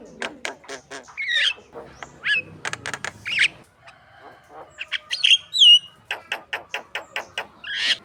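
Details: Javan myna prompting song used to train contest birds: fast dry clicks alternating with short chirps and swooping whistles, in quick varied phrases.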